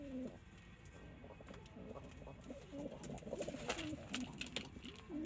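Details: Continuous soft cooing from a loft of domestic pigeons, short rolling phrases following one another, with scattered clicks and rustles among them.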